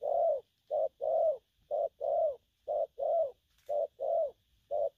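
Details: Young spotted dove in gù phóng, kèm style: soft, deep coos in short-long pairs, the long note swelling and fading, about five pairs in quick succession over a quiet hum, with one faint click.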